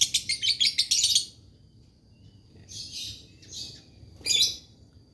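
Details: Lovebird in dry-voiced lure singing: a burst of rapid, shrill chattering lasting about a second, followed by quieter pauses and two short, harsh chirping bursts.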